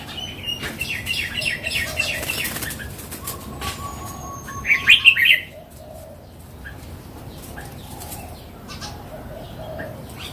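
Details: Mature wild Red-whiskered bulbul singing one short bubbly phrase of four or five quick, bright warbled notes midway. Faint chirps from other birds, a thin high whistle and light rustling fill the rest.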